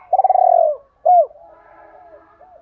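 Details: Spotted dove calling to two hens, rousing decoy birds and provoking rivals to fight: a loud rolling, stuttered coo, then one short downslurred note, followed by soft low murmuring coos.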